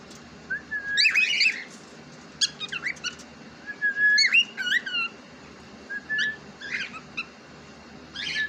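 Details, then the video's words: Pet cockatiel, described as talking, alternates drawn-out level whistles with harsh buzzy chirp clusters in repeated bouts, then a few spaced short chirps. "Cocktail Parrot Ne Kya Bol Diya"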